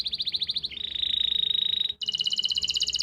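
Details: Canary in Pati, Central Java, singing a tutor song for silent or young birds: a quick pulsed trill, a long steady rolling tour, a brief break, then a higher rapid stuttering trill.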